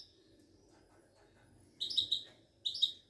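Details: Moroccan Widani goldfinch, a kept songbird, delivering two quick high twittering bursts of liquid notes after a near-silent stretch with faint background hum.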